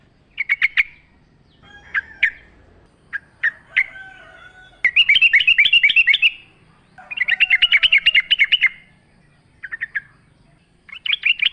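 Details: ['Yellow-vented bulbul in energetic wild-style song among nature sounds, a lure recording. Scattered clipped notes alternate with two fast rattling trills, each about a second long, plus softer whistles between them.']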